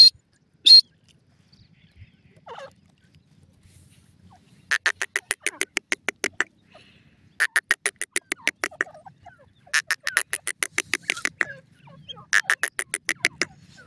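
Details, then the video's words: Francolin (badami teetar, a partridge) gives four bursts of rapid, harsh, rattling notes, each lasting about two seconds, with short pauses between them. "badami teetar ki awaaz,partridge bird sond"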